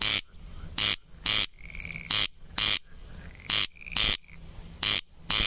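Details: Corn crake calling in a steady run of dry, rasping double notes, each pair following closely on the last, with a faint thin whistling bird in the background.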